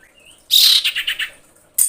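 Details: Female common iora calling males in breeding condition, beginning with a thin rising whistle, then a loud harsh burst dissolving into several quick chattering pulses, with another burst starting at the end.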